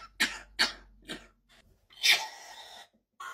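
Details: Rescue parrot Jack, who hates men, mimics the chronic COPD cough of his owner's father: three short harsh coughs about half a second apart, then a longer raspy throat-clearing burst, noisy and broadband.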